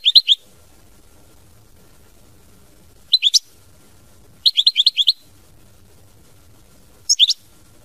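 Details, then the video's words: European goldfinch, mama binette song style: short clusters of three to six crisp, high chirped notes at irregular intervals of one to three seconds, with faint low background noise between. "Chant Chardonneret mama binette"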